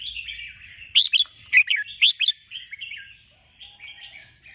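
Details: Sooty-headed bulbul singing several loud, bubbly phrases of paired chirps, about one each half second, then trailing into softer warbled notes, with quiet chatter behind.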